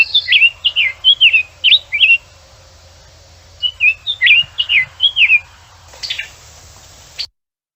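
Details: Summer Tanager spring song: two robin-like phrases of about five quick, slurred whistled notes, each rising and falling, followed by a short burst of rustling noise.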